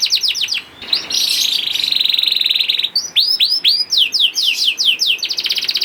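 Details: Lure song of a young canary, used to coax other canaries into singing: quick down-slurred notes lead into a long buzzy rolling trill, followed by a series of looping swept whistles.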